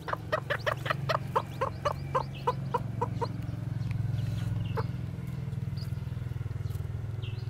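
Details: Japanese bantam chicks, newly hatched, white with black tails, out walking; a series of short rhythmic clucks fades into a low rumble, with a few faint high peeps.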